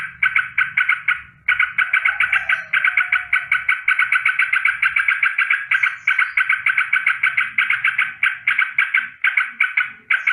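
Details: In the morning, a sooty-headed bulbul keeps up a nonstop rolling danger alarm of fast, evenly repeated harsh notes for about ten seconds, with a faint low rumble early on.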